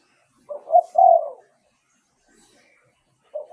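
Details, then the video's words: Spotted dove song used as a decoy to lure wild doves: a low three-part coo with a short note, a rising note and a longer mellow note. The phrase starts again near the end. The background is quiet. "เสียงต่อนกเขาใหญ่ เสียงชัด"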